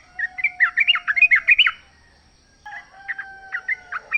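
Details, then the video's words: Wild sooty-headed bulbul with a fast, gurgling warble of tumbling notes lasting under two seconds, a pause, then softer scattered notes over a faint steady tone. Used to encourage a caged bulbul to sing back. "trucuk gacor ngalas full suara alam"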